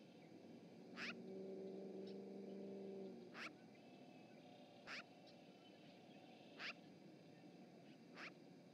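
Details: Magpie chattering at the Charlo osprey nest in Montana, picked up by a live webcam on 7 March 2018: five harsh, rasping notes spaced one to two seconds apart. A steady low hum runs early in the recording over faint background noise.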